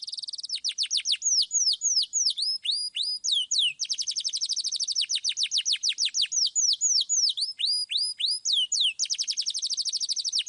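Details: Loud, clear canary song meant to coax young birds into singing: rapid high trills alternate with slower phrases of drooping, whistled slurs, shifting pace every second or two with no background noise.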